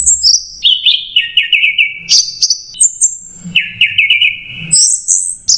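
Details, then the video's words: An orange-headed thrush delivers "macet jernih" masteran song: stepped descending whistles leading into fast rattling trills at mid pitch, broken by high piercing whistles, all run together without pause. "MASTERAN ANIS MERAH MACET JERNIH"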